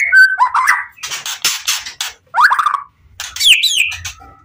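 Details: Caged white-rumped shama of the Pastol PTRK BF line singing in full emotion to provoke other shamas into answering: rich varied phrases mixing whistled slurs, harsh buzzy bursts and rapid chattering notes, broken by short pauses.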